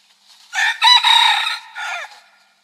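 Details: Rooster giving a full crow: a short opening note, a long harsh held middle section, and a quieter drawn-out final syllable that drops in pitch, in a quiet setting.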